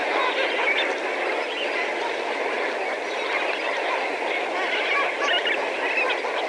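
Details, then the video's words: Lesser flamingo flock of several thousand calling: a continuous, dense, unbroken wash of overlapping honking, goose-like calls, with no single bird standing out. "Lesser Flamingo / MP Flock Calls From Several Thousand"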